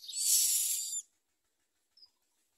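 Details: Common myna chicks at the nest with their mother, begging: one harsh, hissing, broadband screech lasting about a second, followed by a brief faint high note.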